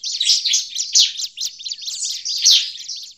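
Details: Agitated bar-winged prinia calling, a sound used to lure the species in forest: continuous high, rapid scratchy chirping in overlapping bursts, with louder accented notes near one and two and a half seconds.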